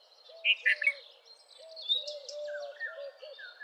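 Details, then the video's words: Red-vented bulbul (Pycnonotus cafer), a resident of dry scrub across the Indian subcontinent, gives a quick burst of bright, bubbly chirps over a steady run of low, hollow piping notes and other faint birdsong. "Red-vented Bulbul Song ! Red-vented Bulbul Call ! Red-vented Bulbul Sound! Red-vented Bulbul Vocals"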